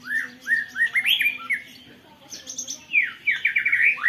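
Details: Long rolling canary-style song from a white-rumped shama, recorded on a phone: continuous rising whistles and rapid chattering trills, with a high buzzy burst midway and quick repeated notes near the end.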